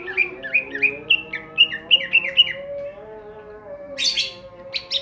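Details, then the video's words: A caged greater green leafbird (cucak ijo) in full ngentrok-style song gives about eight quick, clear, downslurred whistles in two and a half seconds, then harsh, scratchy bursts, over a low steady hum. "cucak ijo gacor ngentrok"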